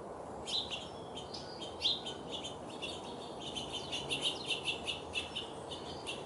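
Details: In a backyard, a hungry orange-crowned warbler gives high, sharp chips. They come scattered at first, then speed into a rapid run of closely spaced ticks over steady low environmental noise.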